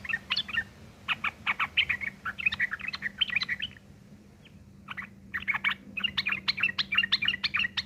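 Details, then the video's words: Fighting song of a Yellow-vented bulbul, harsh and chattering, used as a lure; rapid rattling note series, a short pause near the middle, then another dense chattering run, with a continuous low hum. "trucukan gacor TARUNG ngeriwik kasar pancingan trucukan agar bunyi"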